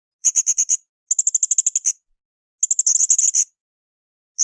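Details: Training song of a blue-crowned hanging parrot for cage birds: three fast strings of piercing high chirps, each run of six to ten notes lasting under a second, with clean silence between bursts.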